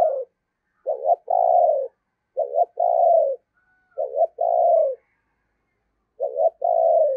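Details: Spotted dove used as a decoy at Tết, giving urging coos to draw in wild doves. Four matching low phrases repeat roughly every one and a half to two seconds: a short broken double note, then a drawn-out, slightly falling purr.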